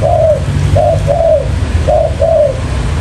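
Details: Close spotted dove lure call: a lone coo then two short-long double coos, mellow and slightly falling, over a low hum.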